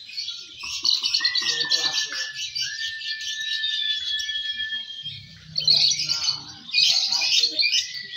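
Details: Lovebird singing at a competition, fighter-class young balibu birds: long runs of rapid, high, rattling chatter broken by drawn-out pure whistles, a brief pause, then loud bursts of chatter, with a low hum below.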